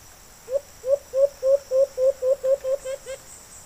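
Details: Wild alimokon, the white-eared brown dove, drawn in close and responding to a kept bird: eleven soft, upslurred hoots in an even run lasting about three seconds, with a faint rattling sound near the end.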